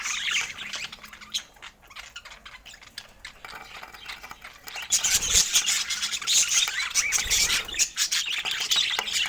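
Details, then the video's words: Budgerigars sharing fruit: quiet scattered clicks and faint squeaks at first, then a loud burst of overlapping high chirps and scratchy warbling in the second half. "Cute Budgies Sharing Fruits with Funny Happy Sounds"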